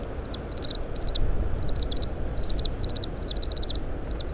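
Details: Foraging Oriental greenfinch picking seeds from split Japanese stewartia fruits and discarding husks, parabolic-microphone recording in strong wind: clear, continuous twittering of short high metallic notes in tight repeated bursts, with steady low wind rumble beneath.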